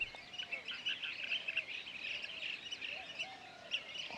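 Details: Several blue-tailed bee-eaters calling in the background in West Bengal, where the species breeds; a dense chorus of short rolling, trilled chirps overlapping continuously, with faint lower whistled notes beneath.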